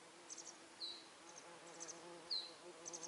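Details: Masked wagtail fledglings, already out of the nest but unable to feed themselves, calling for food while their mother forages for insects all day; thin high descending whistled notes alternate with brief clustered chirps over a steady low buzzing hum.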